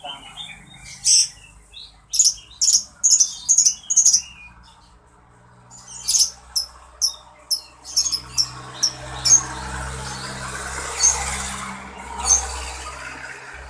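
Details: Captive songbird singing, described as beautiful and very melodious: a run of sharp, high chirps and trills in quick bursts, then a quieter stretch of soft twittering over low background hum.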